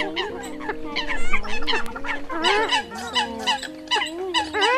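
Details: Eurasian coot lure recording from October 2020, used by trappers to attract birds: a dense flock chorus of overlapping nasal, arched calls with bursts of harsher notes. Steady droning tones run underneath.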